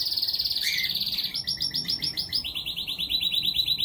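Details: Canary in a home aviary singing a run of rapid trilled phrases: a high rolling trill, a short lower note, then pulsed stretches stepping down in pitch, ending in evenly repeated notes about nine per second.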